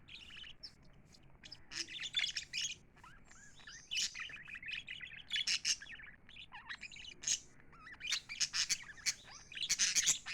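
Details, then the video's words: Pet lovebirds chirping happily: a busy stream of high tweets, clicks and short warbles, with short quiet gaps, growing denser and louder toward the end. "Happy lovebirds chirping sound"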